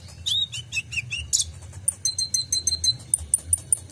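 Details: Van Hasselt's sunbird (kolibri ninja) full-fill 'isian' song used as a tutor for caged songbirds: quick, high, slurred whistled notes, then a shrill, fast ticking trill and evenly spaced sharp chips, with a soft low hum underneath.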